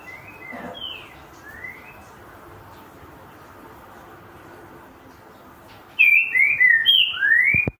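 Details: A green-winged saltator (Saltator similis) gives a few soft slurred whistles, then a loud quick phrase of five or six clear whistled notes ending on a rising slur.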